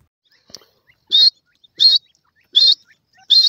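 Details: Partridge chicks fighting over food: four loud, harsh, high chirps spaced about every 0.7 seconds, with faint softer peeps in the gaps.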